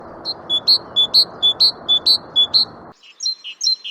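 Great tit singing bright two-note 'tea-cher' phrases, high then slightly lower, repeated briskly about six times over a low rumble, then a few different high notes.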